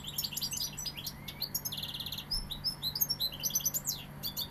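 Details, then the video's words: Sevillian European goldfinch in continuous song, a fast jangle of high chirps, liquid twitters and a dry rattling trill near the middle, with faint low background hum. "Jilguero sevillano"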